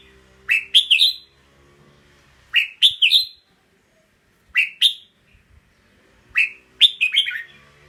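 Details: Red-whiskered bulbul repeating short cheery phrases of two to four rising, slurred notes, roughly one phrase every two seconds, with quiet pauses between.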